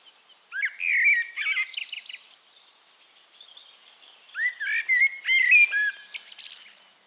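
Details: Eurasian Blackbird (Turdus merula) in song at Castricum, the Netherlands: two loud verses, each a warbled, fluty low whistle sliding down and closing with a burst of high, scratchy squeaks, separated by a short pause.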